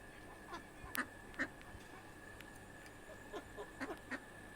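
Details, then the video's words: House ducks heading home after the day, a few scattered short nasal quacks, some paired, against a constant low hum. "Duck sounds"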